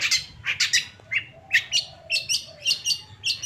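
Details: Long-tailed shrike of the Madura type, kept as a songbird, delivers short grouped chattering bursts with brief upslurred notes, repeated roughly twice per second. The song is uneven in rhythm, and faint room hum is heard beneath it.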